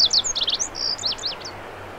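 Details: Fragment of Lazuli bunting song: quick high buzzy slurs and short sweeping whistles tumbling together for about a second, fading at the end.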